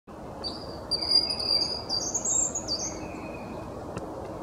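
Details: A small robin singing back and forth with another robin: a thin, high, wavering phrase of sweet whistled notes that slide up and down.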